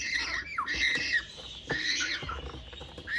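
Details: Two-month-old baby African grey parrot, just praised by its owner, gives loud harsh squawks with strong tonal bands, several slurred downward and upward, in quick succession with short gaps.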